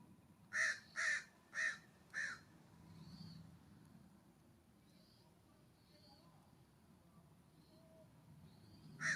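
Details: California Scrub-Jays at a ground bird feeder near a cabin on a warm September morning; four loud, harsh, raspy calls in quick succession about half a second apart, then quieter rustling and faint distant chirps before one more rasp at the end.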